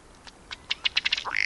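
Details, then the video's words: A ruddy duck in Wisconsin gives a run of dry, quickening ticks that end in a short, rising, nasal croak, with no other sounds standing out. "Bird Sounds: Ruddy Duck"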